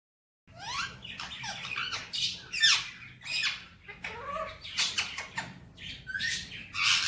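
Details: Male Indian ringneck parakeet kept as a pet, talking in Hindi-Urdu words: a run of harsh, nasal, speech-like syllables with rising and falling squawky sweeps, bursts coming about every half second after a brief silent start, in a small indoor room.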